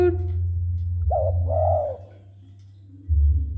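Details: Spotted dove cooing as it is approached: a single phrase of a short coo then a longer arched coo, preceded by a faint squeak and surrounded by low rumbling hum.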